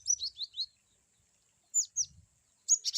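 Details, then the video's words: Cinereous tit (glatik batu) giving varied 'wucit' calls: three high, sharply downslurred whistled notes, a pause, two more down-swept notes, then a fast buzzy burst at the end. "glatik batu wucit2 bervariasi"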